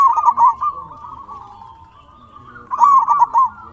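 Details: Zebra dove of a local strain singing to draw replies from other doves: a trilled opening phrase, a long even purr, then another quick run of stuttering notes.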